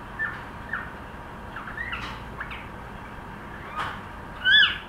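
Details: A pet cockatiel trying to sing gives scattered short whistled notes, mostly soft, ending with one louder, rising-and-falling double whistle near the close.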